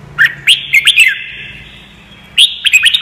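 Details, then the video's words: Red-whiskered bulbul singing, played as learning audio for caged birds: a fast run of four sweeping whistled chirps, a lingering ringing note, then another quick cluster of bright chirps. "CHÀO MÀO | Luyện giọng chim hót cực hay"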